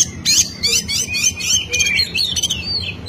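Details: Oriental magpie-robin singing 'ngeplong' style to rile a rival: dense, high, chattering warble with quick slurred notes over steady low background noise.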